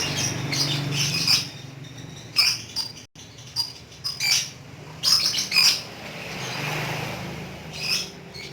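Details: Lovebird, a pet bird, in ngekek song: separate short bursts of harsh, high chirping spaced a second or two apart, with quiet gaps and a low hum between them.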